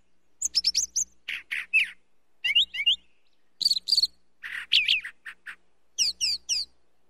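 Brown thrasher song of rich, varied phrases: chirps, slurred whistles and harsh notes, each often given twice before switching, with short pauses between bursts and a faint low hum behind.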